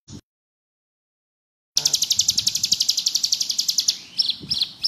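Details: Bar-winged prinia singing actively in the ngebrem style, suited for tutoring other birds: after a silent gap, a rapid high trill of sharp pulsed notes, about four per second, runs on steadily, with faint low thumps beneath.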